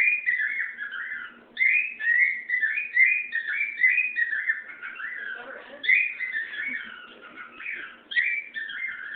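A cockatiel sings a steady run of warbling, up-and-down whistled phrases, repeating a similar tune about every one to two seconds in a quiet room.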